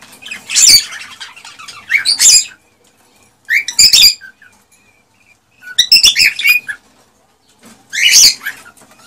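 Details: Male cockatiel song aimed at stimulating mating: separate loud harsh, buzzy bursts with rich harmonics, roughly every one and a half to two seconds, quiet gaps between.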